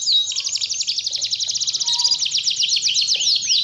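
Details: Canary trilling, used to provoke a lazy canary into singing again; a dense, continuous rolling trill of fast repeated notes, about four per second, bright and high throughout.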